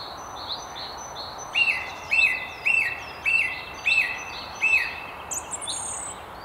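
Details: From the top of a tree near Haddington on the River Tyne, a song thrush repeats one sharp, bright note six times at roughly half-second intervals, then adds a short high flourish, over light ambient hiss.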